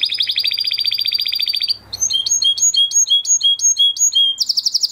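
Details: Training song of a crested Huppe Spanish Timbrado canary from 2020 breeding, one of a flock: a dense high rattling roll, a short gap, then spaced whistled hooked notes, finishing with a fresh bright trill.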